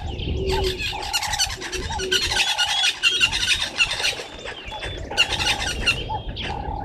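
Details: At first light, 05:30 on 11 August 2023, red-billed buffalo weavers collect nesting material by a waterhole in Djuma Game Reserve, Sabi Sand, South Africa. Loud, busy squeaky chatter comes in bursts, with lower repeated mellow notes beneath and brief pauses.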